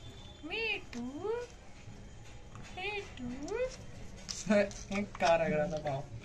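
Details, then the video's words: Indian ringneck parakeet talking in Hindi with another bird: two swooping, nasal, speech-like phrases a few seconds apart, followed by a person talking in a small room. "Adorably Talking Ringneck Parrot With Each Other In Hindi"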